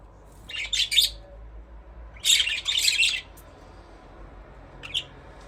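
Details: Two clusters of sharp, high budgerigar chirps separated by a pause, then one brief final tweet against a quiet background.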